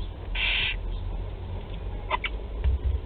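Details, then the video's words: Nest of four barn owl chicks being fed at Théding, 16 July 2020: a single loud, breathy hiss lasting under half a second, followed by faint scattered clicks and low rumbling thumps. "Nourrissage des 4 petites chouettes"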